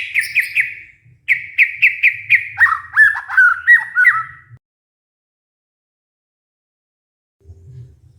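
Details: White-rumped shama lure song, used to stimulate a stressed bird that has stopped singing: a burst of rapid repeated whistled notes near mid-high pitch, then a run of quick descending slurred phrases, followed by a long silence.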